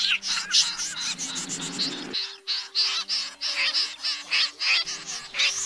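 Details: Calls of common snipe, used to lure birds into nets at night in August 2024: rapid, scratchy, overlapping notes packed tightly together, with a rough low rumble during the first two seconds and a faint steady tone afterward.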